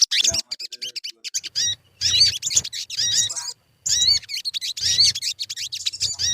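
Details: Crimson sunbird lure song meant to get birds singing, heard as rapid, high, chattering bursts of sharp chirps and quick up-and-down whistled notes, separated by brief pauses.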